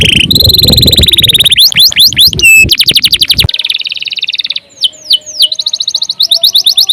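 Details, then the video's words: Canary gacor song with a long rapid trill over low background noise, tumbling swept notes, another rolling trill, then quieter pulsed phrases and a buzzy rattle. "CANARY GACOR PANJANG UNTUK MASTERAN LANGSUNG NYAUT"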